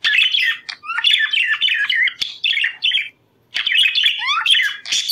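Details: Budgerigar song meant to trigger breeding readiness: busy chattering warble of chirps, clicks and rising whistles, broken by one short silence before resuming just as busily.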